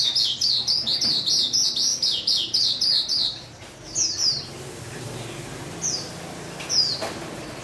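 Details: A nightingale on 8 August 2016 delivers a fast run of about ten bright, high chirps in three seconds, then a few scattered single notes over a faint low hum.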